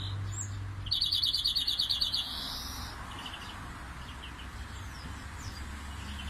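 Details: A European greenfinch sings a canary-like roll: a fast, bright trilled phrase of rapid repeated notes for about a second and a half, then softer scattered chirps over low background hum.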